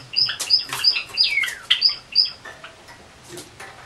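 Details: Domestic white Java sparrows indoors, males flying free alongside a white female, 25 October 2013; sharp high chirps repeated about three times a second, one note sliding steeply downward, fading into quiet rustling.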